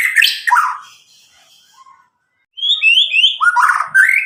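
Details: White-rumped shama from Medan, caged and about nine months old, singing to stimulate young birds; harsh notes fade, then after a pause high rising whistles and buzzy phrases return.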